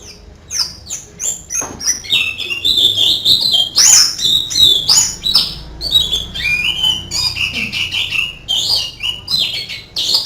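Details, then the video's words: Canary-like song from an Oriental white-eye, a continuous jumble of high, fast chirps and sweeping whistled phrases with shifting pitch throughout. "Master Burung Pleci Rasa Kenari"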